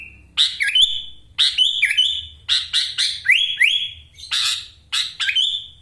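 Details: Kept sooty-headed bulbul, raised on full tutoring, from Wonosalam in East Java, singing insistently with ngekek fill-ins: bright whistled phrases with upward and downward slides, repeated roughly every second with brief gaps.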